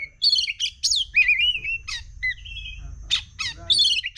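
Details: Agitated oriental magpie-robin (kacer) from Sumatra, Indonesia, in fast emotional song: varied loud whistles and harsh squawky bursts, with sliding notes and rapid chattering phrases separated by short pauses.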